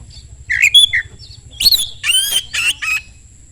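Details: Oriental magpie-robin singing quickly as a lure to make other magpie-robins answer: a few whistled and buzzy notes, then a run of loud harsh, scratchy phrases with rising whistled undertones, over a faint steady high tone.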